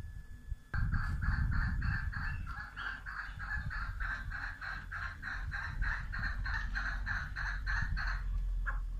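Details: Female chukar partridge delivering a long, even run of sharp clucking notes, roughly three per second, bright and sustained throughout. A steady low hum lies beneath.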